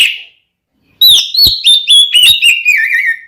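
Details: Oriental magpie-robin, a fighting male singing in a provoking style meant to anger another male: a whistled phrase opens with a brief high note, then a clear run of sliding, warbled whistles with sharp clicks, falling gradually in pitch.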